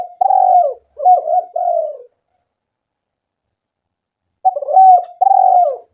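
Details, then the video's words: Lure recording of a spotted dove meant to make doves call: a three-part cooing phrase of low, hoarse notes, the last softer and falling, then a long silence before the same phrase begins again. "Pancingan suara burung tekukur gacor"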